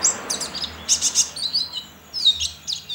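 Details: Caged white-eye in an Indonesian online singing contest, from Sambas, West Kalimantan; short bursts of high scratchy chirps and brief thin whistles, with background hiss and low rumble.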